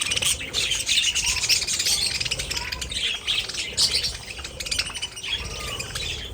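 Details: Pet budgerigars in a dense flock chorus of warbling chirps and scratchy squawks, many overlapping voices sustained throughout, with brief sharper high notes near the start and middle.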